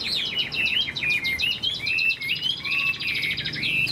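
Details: Caged Chinese hwamei, a large handsome bird in moult, singing high: a rich, fast run of varied whistled notes, slurred up and down and overlapping, with a lower short whistle near the end.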